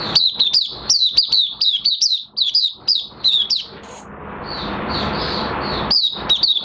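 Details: June 2022 recording of a caged Oriental white-eye in minor moult: rapid high chirping slurs, then a softer run of warbled notes over rustling, and a final burst of chirps.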